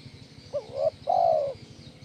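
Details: Spotted dove (tekukur) giving a single kuk 1 phrase for bird training: a brief looping hoot followed by a prolonged smooth coo, with a faint rhythmic ticking underneath.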